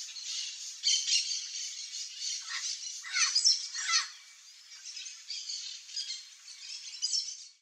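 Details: Chestnut-eared aracari (Pteroglossus castanotis) feeding on ripe fruit in a wooded backyard in Brazil, giving a short cluster of squeaky, harsh, downslurred calls over a steady high hiss of background insects.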